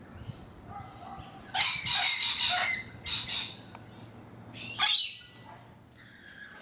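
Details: Rainbow lorikeets on a balcony, loud grating screeches and squawks packed together in noisy bursts, then brief pauses and a few quieter chattering notes, with a faint low hum underneath.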